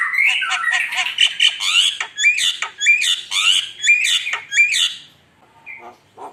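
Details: Javan myna (jalak kebo) in lively song for luring: a dense chattering jumble of harsh notes, then repeated squawks each with a rising whistled tail, ending in quieter scattered notes.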